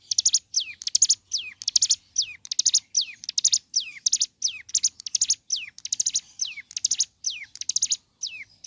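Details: Ciblek gunung singing energetically in the morning, a song played to stir other birds of its kind into singing: fast, high buzzy phrases, each ending in a sharply falling note, repeated steadily about every half second.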